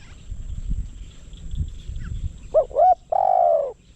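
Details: Spotted dove kept as a decoy to lure wild doves, one phrase near the end: two short hooked coos, then a longer, steady, low croon, after a stretch of low rumbling background noise.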